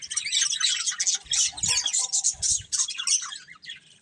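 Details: Budgerigar breeding pair, kept as a family of pets, chattering with dense, rapid, warbling chirps high in pitch. The notes come in quick irregular bursts, with a few soft low thumps partway through.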